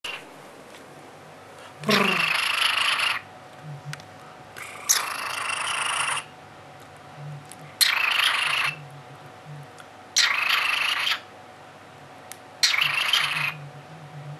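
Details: A male cockatiel purring like a cat: harsh, breathy purring bursts, each about a second long, repeated every two to three seconds.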